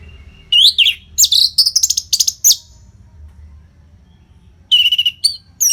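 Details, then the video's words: Nonstop orange-headed thrush song meant to train competition birds: a rising whistle, then loud tumbling phrases of sweet and scratchy notes, a quiet gap, then a clear level whistle and further chirps. "SUARA MASTERAN ANIS MERAH GACOR RAPET NO JEDA INI UNTUK MELATIH FIGTHER BURUNG AGAR SELALU FIT"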